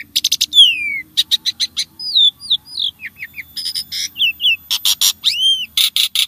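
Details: Starling song used to prompt caged birds to sing: a varied run of sharp clicks, downward-sliding whistles and short buzzy bursts, with a final rising-then-falling whistle. No other clear sounds.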